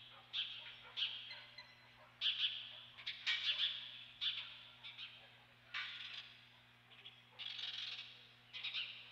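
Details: Ospreys at the Dunrovin Ranch nest on 28 May 2013, the adult female present; short bursts of high, shrill chirping notes come in clusters every second or so, with a low steady hum underneath.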